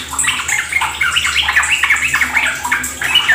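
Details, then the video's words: Sooty-headed bulbul (trucuk) singing fast ropel-style phrases, used as a lure to prompt other birds to sing. Quick bubbly notes tumble one after another over a constant trickling hiss. "Pancingan trucukan agar ikut ropel gacor"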